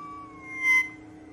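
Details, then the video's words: North Island kōkako singing its haunting territorial song in the early morning on Tiritiri Matangi Island, New Zealand: one long, pure, organ-like note that sags slightly in pitch, with a brief breathy rush partway through. "North Island Kōkako (Callaeas wilsoni) singing its early morning haunting song"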